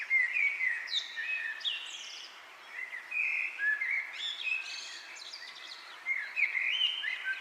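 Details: Several birds chirp busily outdoors, trading quick high whistles, slurred upward notes and short twittering bursts, several calls each second, with a soft background hiss.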